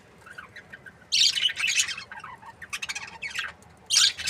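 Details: Captive budgerigars in breeding pairs are quiet at first, then break into loud, buzzy, high chirps. Quick stuttering notes follow, ending with another sharp squawky burst.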